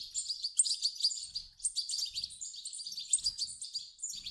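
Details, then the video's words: Begging European goldfinch young, calls used to get an adult goldfinch singing; continuous shrill, wavering chirps with rhythmic pulses, a few soft low thumps in the background. "صوت فراخ حسون يحفز حسون على تغريد"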